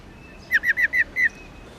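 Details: Black-throated laughingthrush hen, subspecies lugens, making the rolling 'ro' call kept to excite male birds to sing. Five slightly slurred, downward-bending notes follow one another rapidly, with a small gap before the last.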